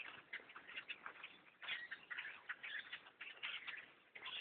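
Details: Blackbirds by the thousands settle around a tree stand during bow hunting, their mass chorus a thick wall of scratchy chips and squeals that swells sharply after a brief lull.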